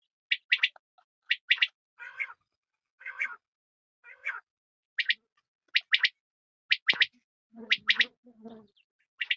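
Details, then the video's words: Female quail calling: sharp paired high notes repeated about once a second, mixed with softer buzzy, rattling notes and a few lower grating sounds. "Batair Ki Awaz Quail Sounds بٹیروں کی سپیشل زبردست آواز"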